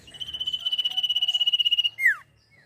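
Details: Song of a sirpu, used as training audio for caged songbirds: a buzzy, rapidly pulsing trill on one steady pitch, cut off by a bright falling whistle.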